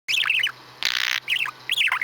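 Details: Pet male budgerigar recorded 23 May 2017 runs through his repertoire of imitated farting noises: chattering warbled notes broken by a harsh, hissing, noisy burst, then more twittering phrases.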